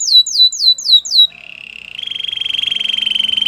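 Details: Canary song for training other canaries: a few quick falling whistles, then a sustained rapid rolling trill that grows louder and continues to the end.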